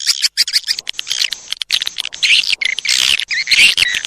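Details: Lure sound for edible-nest swiftlets: sharp chirps and wavering high whistled twitters, some sliding up and down, interspersed with fast clicks in irregular bursts.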